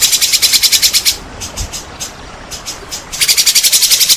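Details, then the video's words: White-rumped shama song used to provoke other shamas into singing: a fast buzzy pulsed rattle, a softer interval of scattered clicks, then the rapid rattling returns. "sangat ampuh untuk pancingan murai malas bunyi. langsung gacor dan emosi bongkar isian"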